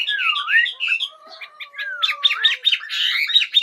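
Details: Morning bird song mixing a low, drawn-out swooping whistle with bursts of quick, sharp chirps and warbled notes at a higher pitch.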